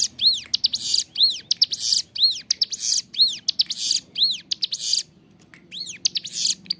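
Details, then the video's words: Bar-winged Prinia singing energetically and clearly for training captive birds, giving loud arched whistles paired with scratchy buzzes about once a second, with a brief pause near the five-second mark. "Ciblek gunung gacor suara jernih, cocok buat masteran"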